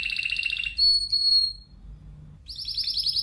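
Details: A Spanish timbrado canary trills rapidly, holds a bright pure whistle, falls silent briefly, then resumes with a ringing fast roll.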